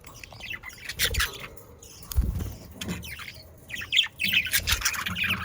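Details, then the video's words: Budgerigars kept as pets in the Den Haag area chirping in quick, sharp clusters, with soft knocks and handling noises underneath. "Sounds of Australian parakeets to stimulate your parakeets to sing"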